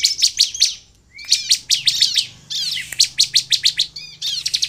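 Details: Sunda bush warbler singing to lure other birds into song: dense bursts of sharp, high chattering notes with thin upslurred whistles between phrases, delivered rapidly with short gaps.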